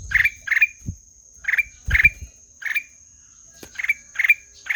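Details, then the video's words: Ruby-throated bulbul (kutilang emas) singing melodiously, a steady run of short, sharp chirps with rising flicks at the end, spaced under half a second apart, and a soft low thump partway through. "SUARA MERDU KUTILANG EMAS"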